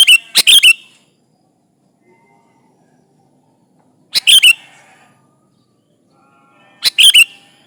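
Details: Sooty-headed bulbul singing eagerly to call rivals, played as a lure; three loud clusters of sharp chirped notes come a few seconds apart, separated by near silence with a faint warble in the background.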